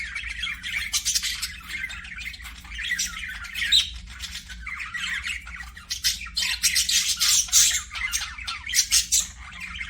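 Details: Pet budgerigars, called parakeets, in an aviary, chattering continuously with dense harsh squawks, buzzes and chirps, growing busier in the second half, over a faint low hum.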